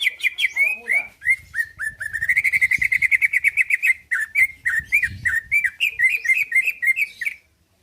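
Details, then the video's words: Greater green leafbird, a caged bird kept to provoke other birds into replying and fighting, singing a rapid, varied run of whistled and chattering notes around a fast trill, with a low rumble of background noise. "Cucak ijo lain liat dan dengar kicauannya bakal nyaut+gacor+tarung"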